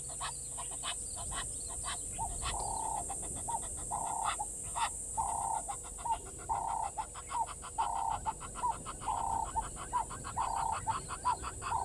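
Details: Water thick-knee calling at the Gowrie dam waterhole, Djuma Game Reserve, Sabi Sand Wildtuin, South Africa, at 07:11 on 16 November 2021: a long series of piping, mid-pitched notes with harmonics, repeated rapidly and unevenly, over a steady high hiss.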